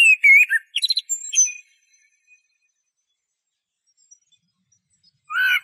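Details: Eurasian blackbird gives a quick warbled phrase that turns into scratchy high twitters, followed by several seconds of silence before another fluted phrase begins.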